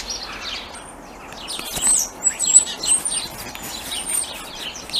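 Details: Wild common starling singing on a cold Christmas Eve as the sun sets, near hazel trees and old man's beard: thin, very high whistles and scratchy chirps scattered through, over a steady outdoor hiss.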